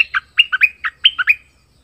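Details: Southern Thai decoy bulbul singing: quick bursts of bright, chirpy notes, each jumping between low and high pitch, grouped in short phrases with clean silence between.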